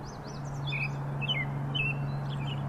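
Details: In springtime, an American robin sings short, clear caroling phrases of slurred whistles, with a few higher thin notes, over a steady low hum.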